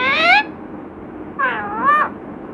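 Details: Pet parrot described as a talker saying "Radhe Krishna": two separate nasal, harmonic utterances, the first short and rising, the second longer with a wavering dip and rise, separated by about a second of quiet.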